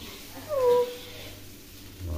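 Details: Tame, talking hill myna imitating spoken greetings indoors: one loud, smooth, tonal, voice-like syllable that rises then slides down, lasting about a third of a second, over a low steady background hum.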